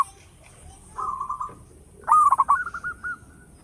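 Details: Zebra dove used to lure other birds, with a loud local song: a soft low hum, then a quick rolling, stuttering trill of cooing notes for about a second.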